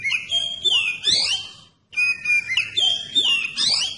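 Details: Oriental magpie-robin provocation song: two close phrases of loud, pure whistles mixed with rapid sweeping slurs and twittering, split by a brief silence.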